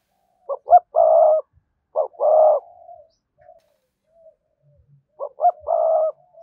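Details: Spotted dove calling to lure wild doves: three cooing phrases in six seconds, each with quick introductory notes and a long level coo, with faint low thumps in the background.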